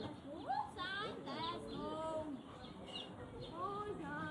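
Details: An affectionate grey parrot (Psittacus erithacus) chatters in speech-like, rising and falling whistled tones, running continuously with short clear whistles mixed in; Grey parrot.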